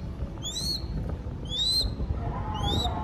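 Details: Young crested goshawk chick being fed by falconers in Cambodia. It gives three thin, whistled notes that rise and then fall slightly, about one every second, over a low rumbling background.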